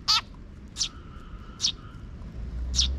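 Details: Sparrows outdoors, a young chick following its parent birds; four bright, high chirps, the first buzzier and more layered, spaced under a second apart, with low background noise rising toward the end.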